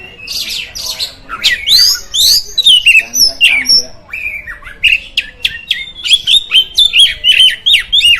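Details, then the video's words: Oriental magpie-robin song played to provoke other magpie-robins: varied whistles and descending slurs at first, then a steady string of short, sharp repeated notes, roughly two per second, toward the end. "Suara Burung Kacer, Buat Memancing Burung Kacer Anda Emosi."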